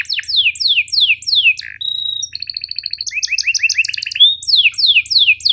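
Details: Canary song used as a master tutor for canaries slow to sing: rapid descending whistled sweeps repeated in runs, a steady buzzy trill, then bright rising chirps and more falling sweeps.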